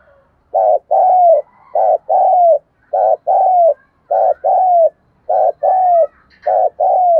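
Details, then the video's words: 'Thúc gù' cooing of a spotted dove: a steady run of paired notes, a short coo then a longer falling coo. The pair repeats about once a second, six times, loud and clear with no other sounds. "cu gáy thúc gù"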